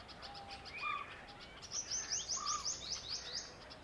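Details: Wire-tailed Swallows, a pair, using a pool ladder in a Delhi garden as a launch pad before hawking insects over the water. After soft lower whistles comes a quick series of thin, high, rising chirps, roughly three per second.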